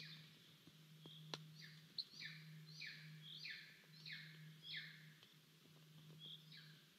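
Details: Golden eagle chick in Estonia, filmed by a live nest camera on 10 July 2022, calling for food at the nest. High, downslurred squealing notes repeat roughly every half second over a steady low hum.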